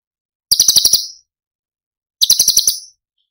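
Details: Cucak cungkok giving 'tembakan' song for songbird masteran training: two brief bursts of rapid, harsh, high-pitched pulses, each under a second, with a clear silent gap between them.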